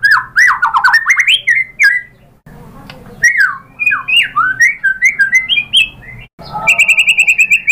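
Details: White-rumped shama song used to provoke other birds into singing: bursts of rich, varied whistled phrases with rising and falling slides, broken by short silences, ending in a rapid steady trill.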